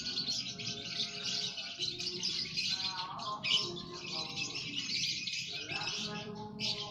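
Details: Aviary lovebirds calling as a colony: nonstop high, rasping twitters and squeals from many birds, a brief louder squeak midway, lower tonal murmurs underneath.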